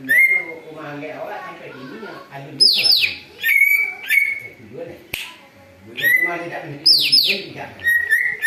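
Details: Greater green leafbird singing noisily as a lure, said to imitate an eagle: long whistles and repeated falling screeches in uneven bursts, with a sharp click and low murmuring behind.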